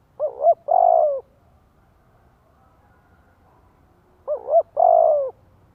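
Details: Spotted dove used as a lure to make wild doves respond: two identical phrases, each a quick double-pulsed hoot followed by a longer level coo, separated by about three seconds of near silence.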